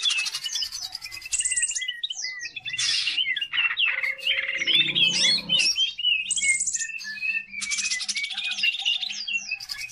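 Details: Energetic song of a greater green leafbird, played to stimulate other birds in training: fast, varied phrases of buzzy trills, piping whistles and chattering notes, with a brief low rasping sound midway.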